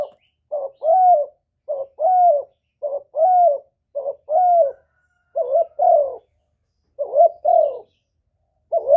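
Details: Spotted dove calling to stir other doves into cooing back: paired low coos, a clipped note and then a longer slightly falling one, repeated steadily about every second in a quiet setting.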